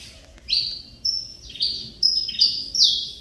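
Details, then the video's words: Saffron finch (canário mineirinho) coming out of moult and singing again after nearly two years with stuck feathers: a run of bright, high, slurred chirps, several falling in pitch, repeated about every half second. "Canário Mineirinho filho do Mineiro vice campeão Cobrap e de mãe CMA voltando a cantar"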